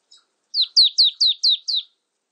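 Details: Marsh tit (Poecile palustris), call.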